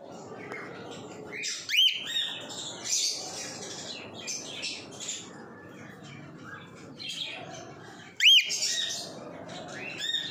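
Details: An albino adult male cockatiel gives two loud, shrill rising-and-falling calls over steady bird chatter.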